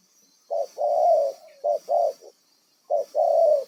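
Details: Decoy spotted dove of wild origin calls with throaty coos: a short note followed by a longer rough coo, repeated three times in under four seconds, with a thin constant hiss behind.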